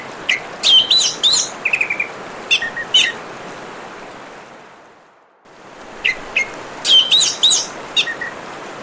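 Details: Orange-headed thrush song with a constant rush of running water: rapid clusters of sharp high whistles and trills in short phrases, the water briefly fading out midway before song and water return together.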